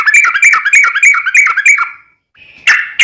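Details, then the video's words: Sooty-headed bulbul, a lure recording meant to make other bulbuls sing, with rapid rolling notes near the upper-middle range repeated about three per second, a short pause, then a loud burst. "trucukan gacor ROPEL PANJANG buat pancingan trucukan agar bunyi"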